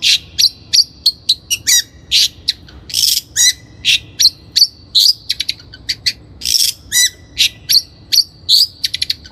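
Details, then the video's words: Lure recording of a long-tailed shrike singing to train captive birds: a dense, fast stream of sharp chips, harsh rasps and thin high whistled notes, varied and restless throughout. "PANCINGAN CENDET GACOR COCOK BUAT CENDET BAHAN | THE LONG - TAILED SHRIKE SOUND"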